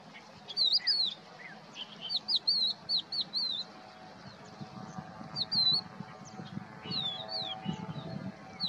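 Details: Song of a crested lark recorded 7 April 2022 at Poleg swamp in Israel: a rapid series of high, sweet whistled notes, some sliding and looping, repeated in short clusters over several seconds, with steady low rumbling behind.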